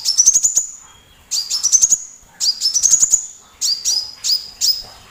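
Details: Sunbird, valued by bird keepers as a loud tutor singer for other birds including white-rumped shama, giving five sharp, very high phrases. The early phrases are rapid clicking runs over a rising whistle; the later ones are shorter and dip then rise.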